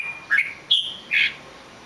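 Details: Red-whiskered bulbul uttering three spaced whistled notes about half a second apart, each short and clear, the middle one higher, over soft background hiss.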